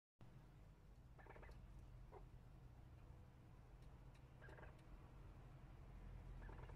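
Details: Chukar partridges giving rough, rapid chattering bursts, with one near the start, another midway and a third at the end, against a constant low-pitched hum of background noise.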